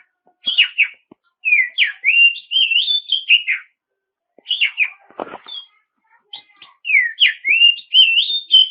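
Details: Oriental magpie-robin pouring out a clear, loud song meant to draw rivals into singing: varied whistles and short downward slurs in long phrases, with one harsh scratchy note midway and faint background clicks.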